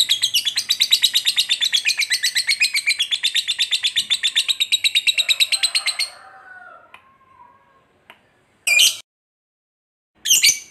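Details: Lovebird fighter in a long ngekek trill meant to provoke a rival into fighting: fast raspy chattering for six seconds, then a soft lower warble and two short sharp squawks.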